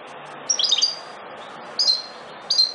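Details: Wild European goldfinch of the subspecies parva, a protected bird, singing: short bright twittering bursts of high tinkling notes at about half a second, nearly two seconds and two and a half seconds, over soft background hiss.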